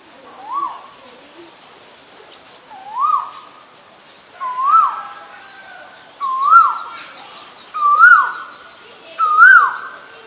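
An Asian koel gives six loud, rising two-part "ko-el" whistles, each one sweeping upward, repeated every one to two and a half seconds and coming faster toward the end.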